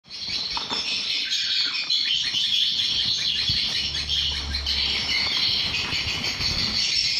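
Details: Swiftlets inside a seven-month-old swiftlet house fill the air with a dense, unbroken chatter of high, fast chirps and twitters, many birds calling over each other throughout; a roosting call.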